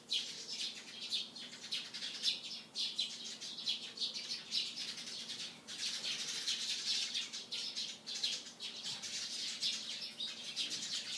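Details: Morning chorus of sparrows: a dense, continuous mass of overlapping high, harsh chirps and twitters, with no clear pauses and a faint low hum beneath.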